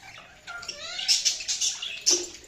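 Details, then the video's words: Budgie chirps in a short passage: a few thin whistled sweeps, then sharp high chirps in a quick cluster and one last bright chirp. "Budgies Chirping sound"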